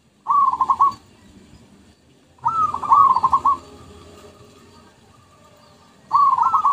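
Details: Zebra dove song from a lure recording for attracting birds: three rolling cooing phrases, each a rising coo followed by quick stuttering notes, spaced about two seconds apart, with faint background murmur.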